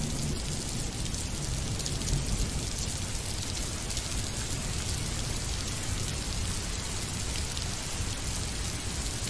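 Heavy rain drums steadily on a surface with low rumbling, possibly thunder, and no animal calls can be picked out.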